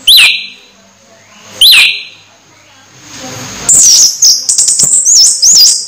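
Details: Orange-headed thrush close to moult still singing well: two sharp upward-curling whistles early, a pause, then a rapid run of looping high whistled notes at the end.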